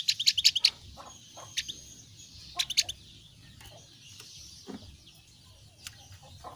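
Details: Thin-browed Javan grey-throated white-eye giving a quick run of five high, sharp chirps, then a shorter burst of three about two seconds later, with soft scattered ticks and a low hum behind.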